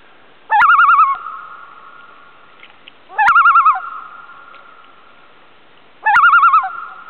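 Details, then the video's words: Loon on Chant Lake, a small lake off Burntside Lake near Ely, Minnesota, in August 2006, gives three quavering, wavering calls about three seconds apart, each ending in a lingering tone that echoes and fades into quiet. "Loon calls"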